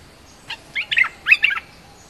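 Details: Streak-eared bulbul in energetic lure song, giving a brief run of quick, slurred chirping notes in two close clusters, with little else audible.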